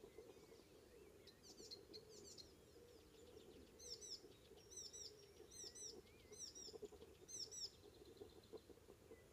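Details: Icterine warbler on Ameland, north of Hollum, Netherlands, on a May morning: soft chatter, then a series of sharp, very high ringing double notes repeated about every second, interspersed with short whistles, over a low steady rumble.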